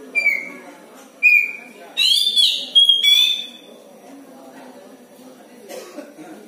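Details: Unusual sounds from a pet oriental magpie-robin (kacer) kept in a house: two level whistled notes, then a loud wavering warble and a brief bright whistle, followed by quiet room hum.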